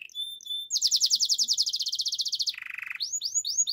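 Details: Belgian canary singing a training song: a fast, even high trill, then a lower buzzy rolling tour, then quick rising whistled sweeps repeated several times a second.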